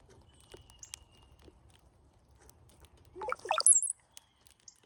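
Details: Migrating cowbirds crowd a feeder, one giving a short gurgled phrase late on, a few low liquid bubbles followed by a piercing high squeaky whistle, after quiet soft ticking and faint background rustle.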